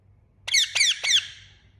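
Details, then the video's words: Loud chirping from an Indian ringneck parakeet: three shrill, harsh, slightly descending squawks in rapid succession, about a quarter second apart, in a quiet background. "Indian Ringneck Parakeet Loud Chirping Sound"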